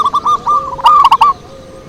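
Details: Zebra dove lure song: several soft, evenly spaced coos, then a loud, quick run of mellow rolling notes that stops abruptly.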